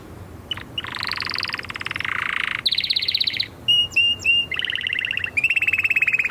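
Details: Canary song made of a long low buzzing trill, a higher rattle, a few clear whistled notes with upper overtones, then rapid high trills, all sung loudly and without stopping.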